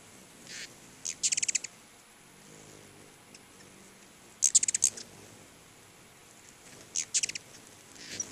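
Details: Hummingbirds crowding two feeders in front of a house make three short, loud bursts of very high, rapid chittering, each lasting about half a second and spaced a few seconds apart, with quieter ticks between.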